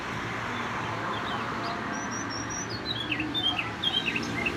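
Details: Caged canary song in the cucak ijo filling style: a run of thin high whistled slurs, then choppy rapid chirps toward the end, set against constant low rumbling noise.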